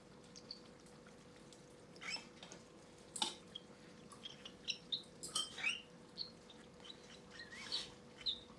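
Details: Seven hand-reared Cockatiel chicks at their second hand-feed give short, high squeaks at an irregular pace, the squeak of a feeding reaction, amid soft handling noises over a faint steady electrical hum.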